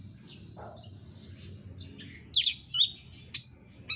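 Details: Insistent oriental magpie-robin lure song for provoking birds to sing: a long thin rising whistle, then short bright chirps and buzzy notes in spaced bursts over steady low background noise.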